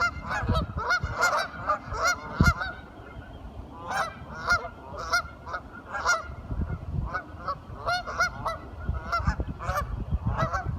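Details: Several curious ducks calling together, with loud nasal honking notes in quick, irregular bursts that overlap throughout, plus low thumping handling noise underneath.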